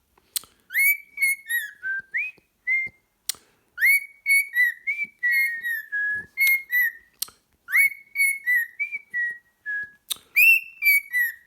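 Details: Pet cockatiel singing before settling down to cuddle with a sock; a run of clear whistled phrases, mostly level or gently falling with a few quick upward swoops, delivered in bursts separated by brief pauses.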